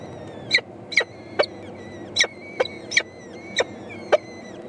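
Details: Four young peregrine falcon eyases begging their mother for food, recorded 14 May 2012; harsh, rasping broadband squeals with whining overtones, eight calls spaced roughly half a second apart, thin faint whistled notes drifting between them.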